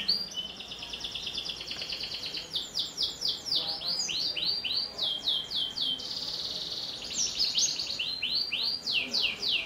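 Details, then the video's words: Long canary song serving as a singing lure for young canaries: alternating rapid trills and bursts of swept whistles, with varied chattering phrases and repeated loud slurred notes near the end. "Suara Kenari Gacor, Pas untuk Pancingan Kenari Paud"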